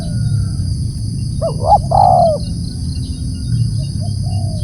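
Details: Spotted dove giving a single loud phrase: a pair of short upswept coos, then one long, level-to-falling mellow coo, set against constant low rumbling noise.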